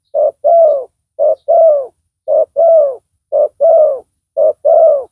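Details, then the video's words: Strong-voiced spotted dove in a decoy trapping session; five evenly spaced pairs of low coos, a short clipped note followed by a longer warbling one, regular rhythm, otherwise quiet. "Pikat tekukur tapau Bl suara besar"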